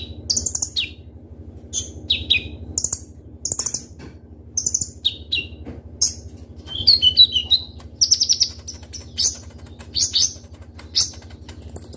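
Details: Ruby-cheeked sunbird, locally konin, singing a full, varied sharp song for luring other birds: repeated high downslurred chirps every second or so, crisp chip clusters and a brief warbled trill midway, over a faint hum.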